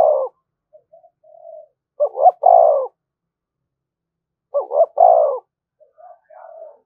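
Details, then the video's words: Spotted dove giving a provoking call to stir other doves: two loud phrases, each a short double coo and then a longer, deeper, falling croo, spaced about two and a half seconds apart, with soft quieter coos between them. "tiếng chim cu gáy kích bổi"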